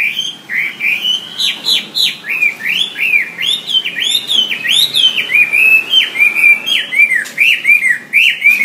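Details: Wambi singing for songbird training: a continuous flowing stream of loud whistled phrases, each note sweeping up then dropping, about three per second, bright and varied.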